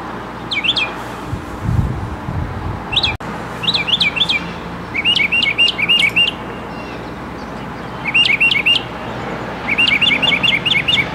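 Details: Mockingbird singing in bursts of rapid, evenly repeated chirping notes, several quick series separated by short pauses, with a sharp click near the start and some low rumble early on.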